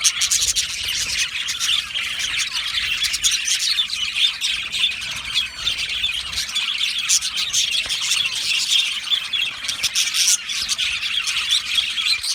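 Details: Aviary full of budgies chattering continuously, a thick texture of high chirps, squawky notes and fast warbles without any quiet gaps.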